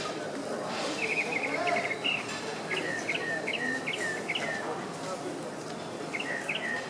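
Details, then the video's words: Tropical Mockingbird near Tulum, Quintana Roo, Mexico, in November 2014, singing a varied run of short chirped and whistled phrases, some repeated two or three times, over a steady hiss of insects and background noise. "Tropical Mocking Bird Singing"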